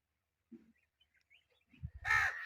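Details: Indian ringneck parakeet kept as a pet bird: faint soft sounds, then one loud, harsh, raspy screech near the end of the clip, with low thumps just before it.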